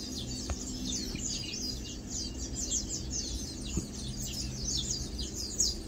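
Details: Several Lowland white-eyes (Matang dulong) relaxing, foraging and preening give dense, overlapping high-pitched twittering notes, many short downslurred chips in quick succession, with a constant low hum and a few soft knocks below.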